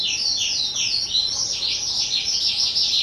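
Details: Two-year-old kept skylark recorded on 18 April 2023, pouring out a continuous high, rapid warbling song of looping, rolling trills and chirps without pause, steady and loud throughout.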